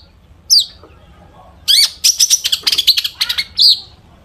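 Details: Long-tailed shrike used as a lure for other shrikes, its song stuffed with imitations: a single high downslurred note, then a fast chattering series of buzzy clicks and whistles ending in a bright, falling note.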